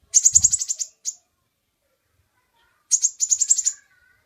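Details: Kolibri ninja sunbird singing, kept as a master song for training other birds: two bursts of rapid, very high, sharp chirps in quick trills, separated by a pause of about two seconds, with no other sounds.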